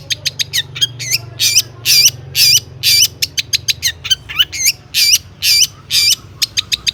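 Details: Long-tailed shrike in busy song with imitated phrases, meant to set other shrikes singing. Sharp clicks alternate with loud buzzy, looping whistled notes in a quick, irregular rhythm.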